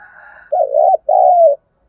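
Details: Spotted dove lure coo for training wild doves: a faint humming note, then two loud low coo phrases separated by a short gap, the second drawn out and falling.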